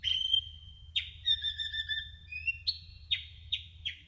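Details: Kolibri ninja sunbird song used as masteran: a sustained high whistle, then layered warbling strands and a run of five sharp, evenly spaced descending chips, with a soft low rumble beneath.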